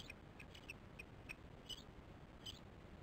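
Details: Osprey chicks at the nest on 13 July 2015 at 08:10, recorded by a nest camera: thin, high chirps in an uneven series, about seven short peeps over three seconds above a low steady hiss.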